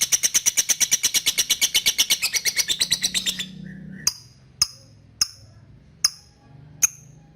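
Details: Lovebird chattering 'ngekek' in a rapid pulsed run for over three seconds, then switching to five sharp 'ngetik' ticks spaced under a second apart.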